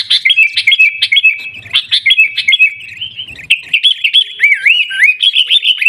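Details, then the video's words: In Pidie, Aceh, Indonesia, a sooty-headed bulbul gives its 'Garuda' style song: an unbroken stream of quick, clear, warbling whistles with rising and falling slurs toward the end. "Gaya Garuda Burung Kutilang"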